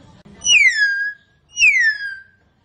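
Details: Hill myna in full voice giving two loud, clear whistled notes about a second apart, each sliding steeply downward then levelling off, rich and ringing; quiet background apart from faint low rumble at the start.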